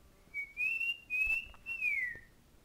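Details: Male pet cockatiel singing indoors, a bird that loved to sing and dance: a smooth whistled phrase of sustained notes, gently rising and held, ending in a falling slide.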